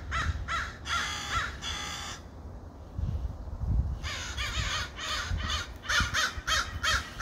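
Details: Crows calling: bursts of rough, raspy caws, a short pause with low thumps, then more quick, grating caws from more than one bird over low background rumble.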